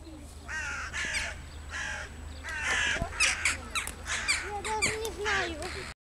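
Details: Rook on guard, giving a series of harsh, hoarse caws in bursts of two or three, rough and buzzy, with lower tonal sounds and clicks in between, heard close up.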